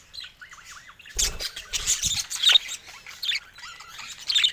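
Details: Pet budgies: a soft wavering warble opens, followed by bursts of harsh squawks and quick high chirps, with low knocking thuds in the middle.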